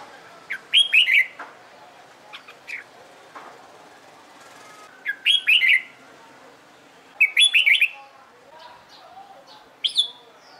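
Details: Red-whiskered bulbul being trained for competition singing, dancing as it sings: short bright warbled phrases of three or four rising and falling whistled notes, given in bursts about every two to three seconds, with soft chirps between.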